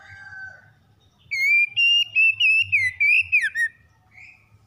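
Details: Morning song of a magpie-robin, brisk and loud, for a stressed bird. A soft low whistle comes first, then a string of bright ringing notes wavers and dips steeply at the end, and a faint chirp follows.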